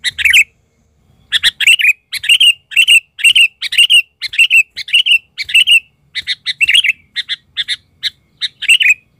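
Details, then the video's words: A lure Sooty-headed Bulbul in an agitated state delivers a loud series of sharp, buzzy double-noted chirps, repeated about every half second after an opening pause. "ketika pikat burung kutilang ngamuk...kutilang liar cuma bisa melongo"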